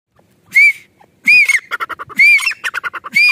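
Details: Grey francolin recorded in natural surroundings in a village: loud grating call, each phrase opening with an arched note followed by a rapid stuttering series of clipped notes, repeated about once a second.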